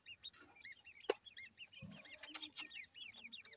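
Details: Grey francolin chicks giving a steady stream of high, arched peeping chirps, many overlapping, with a few dull knocks and thumps in the background.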